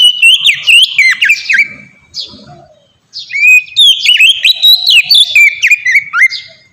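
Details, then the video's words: Song of an Oriental magpie-robin, played as a lure to make captive birds sing: two bursts of rich whistled phrases with downslurs and chatters, separated by a near-silent pause of about a second. "suara burung kacer ngeplong merdu sangat ampuh buat pancingan kacer bahan bikin cepat gacor"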